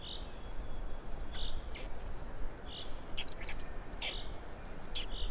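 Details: Estonian black storks at feeding time, 16 May 2019, 12:47: brief breathy notes recurring at uneven intervals, with scattered sharp clicks and knocks.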